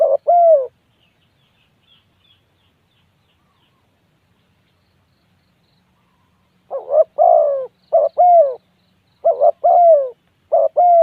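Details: Spotted dove giving hollow two-note coos, one phrase at the start, then about six seconds of quiet before a run of four or five quick paired coos, each ending in a drawn-out falling tone.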